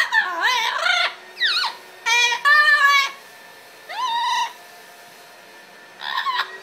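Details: Male double yellow-headed amazon parrot, a caged pet, singing after his bath until dry: rough, harmonic calls and buzzy chatters, then a rising whistled note, separated by quiet gaps indoors.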